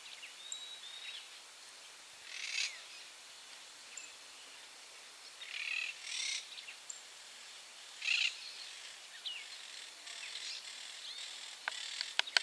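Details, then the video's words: Monk parakeets in Barra do Ribeiro, Rio Grande do Sul, give harsh, grating screeches in short bursts every few seconds, with thin whistles from other birds and a steady outdoor hiss behind. "Caturritas gritando"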